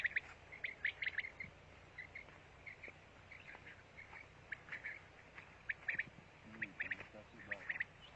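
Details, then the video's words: Quail from Pakistan sings in rapid bursts of rough, chattering notes. The groups come about every half second, fading and returning, with faint low noise and brief knocks underneath. "Bater Ki Latest Awaz,بٹیر سونگ/ Batair Amizing Song in urdu/Pakistani Batair song"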